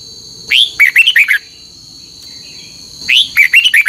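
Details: Red-whiskered bulbul giving a morning contest song with long double notes, used to train birds: two bright warbled phrases, each a rising opening note then five quick clear notes, over a steady high thin whine.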